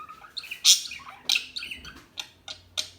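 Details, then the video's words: Small bird gives a loud, harsh squeaky chirp, then a series of shorter sharp chirps spaced about a third of a second apart. "صوت العصافير الهادئة Bird sounds"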